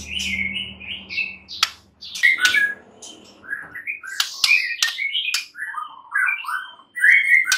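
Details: White-rumped shama giving a varied, fairly quiet song of warbled and whistled notes, mixed with sharp clicks and a low hum in the background.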